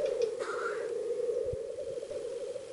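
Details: Lekking male Black grouse (Lyrurus tetrix) before dawn on an open display ground, rookooing in courtship: body tilted forward, tail erect, eye combs inflated, giving a steady, low, continuous bubbling cooing warble with a brief fainter higher note early on.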